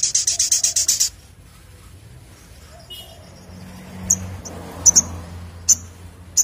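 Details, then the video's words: A sunbird gives a fast burst of about eight thin, very high notes, then a few sharp, high chips spaced about a second apart. "Sogok Ontong Gacor Ngleper Ngalas"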